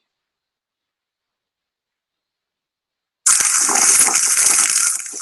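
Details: Three seconds of silence, then a loud, steady hiss of rushing or gushing water fills the rest of the recording, with no animal voices.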